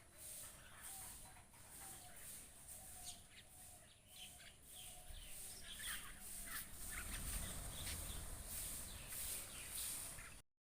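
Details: Myna flock calling in rapid, rough, repeated chattering bursts that grow denser and louder toward the end, over constant low rumbling background noise.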